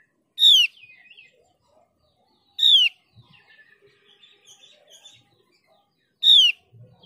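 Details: Lure recording of Mees's white-eye, the Javan and Balinese endemic known as opior jawa, used to set other white-eyes singing: three strong falling whistles at irregular gaps of two to four seconds, with faint twittering between.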